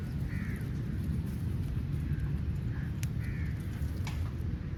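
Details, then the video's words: Crow giving harsh, hoarse caws while calling for food, two louder calls about three seconds apart with a softer one between, over a constant low droning background. "Crow Calling Sound For Food"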